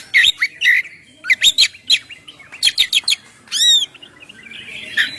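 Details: Oriental magpie-robin singing energetically to lure and provoke other birds: quick chirps and sharp clicks in short clusters, then a bright arched whistle, a brief pause, and softer scratchy warbling at the end.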